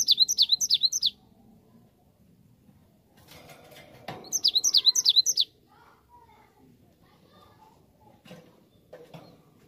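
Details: Cinereous tit lure song, meant to make birds reply at once: two one-second bursts of loud, repeated two-note whistles, separated by quiet rustling, handling knocks and faint low voices.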